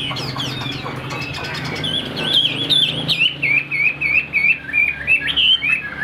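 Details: Caged Chinese hwamei giving a string of clear looping whistles repeated about three times a second, bright and musical, after a noisier start with some low background sound.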